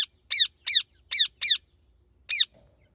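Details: Indian ringneck parakeet giving shrill, harsh, descending squawks in short bursts, five in quick succession, then a pause before one more.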